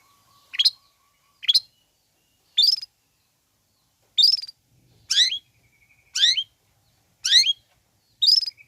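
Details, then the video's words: Long-tailed shrike sound meant to provoke listless shrikes into agitation and calling back: harsh, steeply falling notes repeated roughly once a second, with a faint low hum under some of them. "Bikin Cendet Loyo Kurang Emosi Agar Segera Terpancing Emosi &Ikut Bunyi"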